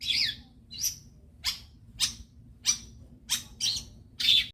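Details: Long-tailed shrike sound meant to set other shrikes singing: a series of sharp, harsh descending notes, roughly eight spaced about half a second apart, over a low steady hum.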